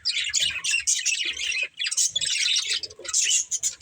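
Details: Breeding pair of budgerigars chattering continuously: dense, scratchy warbles and squeaky chirps with brief pauses near the middle, plus faint low thumps.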